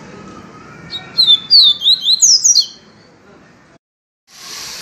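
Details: Yellow-bellied seedeater singing in the viviti style: a lively run of about seven high, thin slurred whistles lasting two seconds, with faint low hum underneath and a later patch of hiss.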